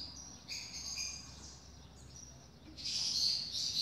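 A double-collared seedeater sings high, thin whistled notes, then bursts into a louder, buzzy chattering phrase at the end, over faint background hiss.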